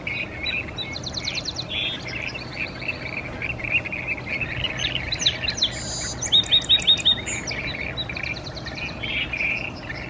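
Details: Song sparrow singing in Salmon Arm, British Columbia, Canada: a bright, varied phrase of sharp notes running into a rapid, buzzy trill, with other chirping birds and a low hum in the background.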